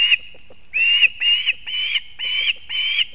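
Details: Female osprey with fish for her chick at the nest, Kurzeme, Latvia, 31 August 2024: shrill whistled notes in a rapid run of about five, each a half-second long and evenly spaced.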